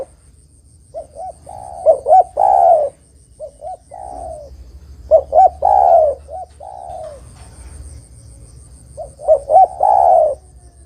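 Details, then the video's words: Lure recording of a spotted dove in full song, used to draw in and trap birds. Three repeated phrases: two small coos, a stronger double hoot, then a drawn-out descending coo, with pauses between. "Suara Burung Terkukur Gacor Paling Top Untuk Pancingan & Pikat Dijamin Lawan Nyaut"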